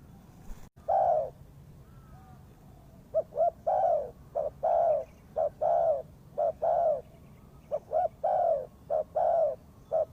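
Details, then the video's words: Spotted dove calling as a lure for bird trapping: after a quiet start, repeated mellow cooing phrases, each two quick short coos followed by a longer falling coo, about one note per second. Faint background hum. "The Sound Of Spotted Dove is good"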